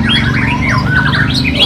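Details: White-rumped shama (Copsychus malabaricus) at a practice songbird contest in Sekayu, singing a rich, varied run of sliding whistles and warbles, rising and falling, over a steady low hum and crowd noise.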